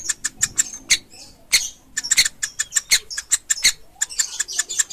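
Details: Pelatuk ulam woodpecker chick: rapid sharp high chips, some louder harsh notes mixed in, running with short breaks.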